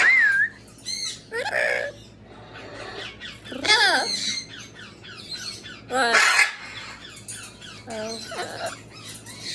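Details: Amazon parrot vocalizing indoors, mixing wavering whistles, squeaky slides and raspy speech-like squawks in quick irregular bursts, with a few louder broadband outbursts.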